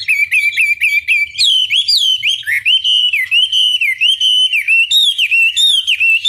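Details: Chinese hwamei, a caged songbird, pouring out a continuous loud whistled song of quick repeated notes followed by long wavering, rising and falling phrases.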